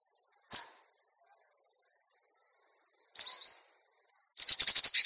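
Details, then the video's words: A Cinereous tit gives high, thin notes: a single sharp chip, a quick three-note burst, then a fast rattling run of about eight notes, with no other sounds. "Masteran Gelatik Batu Bahan Supaya Cepat Bunyi Gacor"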